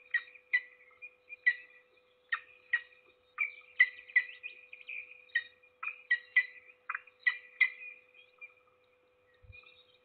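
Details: An adult peregrine falcon feeding its single chick at a nest in Trzebież forest district, Poland, on 7 May 2022, gives harsh, high, chippy calls in quick irregular bursts about every half second, over a steady low electrical hum.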